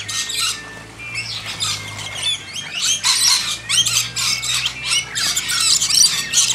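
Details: Wild lorikeets being hand-fed in a backyard, briefly scared off then returning: a steady chorus of shrill, screechy chatter in overlapping bursts, high-pitched and harsh, with a faint low hum underneath.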